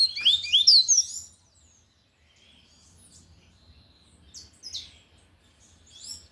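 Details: Lined seedeater singing loudly in the tui tui style: a rapid burst of high, sweeping slurred whistles in the first second, then near silence with faint later notes.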